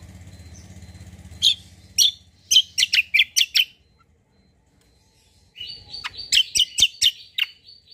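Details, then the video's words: White-eye singing a lure song meant to make other birds answer: bursts of sharp high chirps in quick series, a pause near silence, then another run of bright chirps over a thin high trill; faint low hum early. "KECIAL KOMBO BAHAN LANGSUNG NYAUT || PANCINGAN CUCAK KOMBO"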